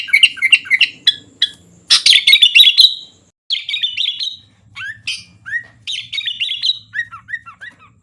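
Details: Sooty-headed bulbul (kutilang) pouring out fast song: chattering warbles, a loud bubbly phrase, then a string of quick downslurred whistles, over a faint low hum.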